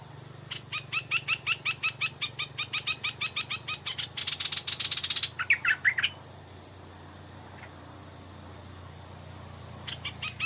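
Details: Evening song of a Stripe-throated bulbul lured by a decoy: a run of rapid clipped notes, then a harsh rushing burst and two sharp slurred whistles, a long quiet pause, and a few faint notes at the end.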